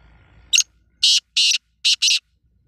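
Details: Kala teetar, the black francolin, giving its grating five-note call: a brief opening note, then two broad rasping notes and a final quick pair, over faint low background noise.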